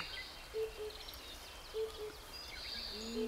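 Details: Himalayan cuckoo singing low, hollow paired hoots, 'po-po', about every second, while a lesser cuckoo starts singing nearby; thin, higher calls of other birds and insects fill the background.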